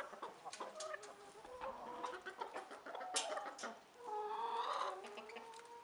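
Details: Rooster and hens together: a dense, overlapping chorus of short clucks and cackles, with a longer drawn-out harmonic call swelling near the end.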